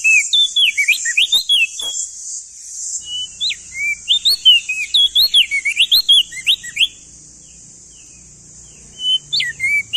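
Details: Male crested white-eye from East Nusa Tenggara, used as a tutor recording for cage birds: bursts of quick whistled notes sliding up and down, rapid chirps, a pause, then a renewed phrase, over a steady high hiss.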